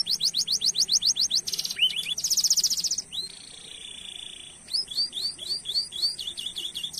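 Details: Canary lure song with long rolls: a fast rolled trill, a harsh buzzy burst, a drawn-out whistle, then repeated hooked chirps in a quick even rhythm.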